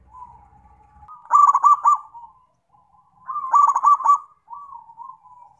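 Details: Zebra dove in full song: two loud bursts of fast, stuttering coos, each about a second long. Softer drawn coos come before and after the bursts, and a brief low rattle is heard at the start.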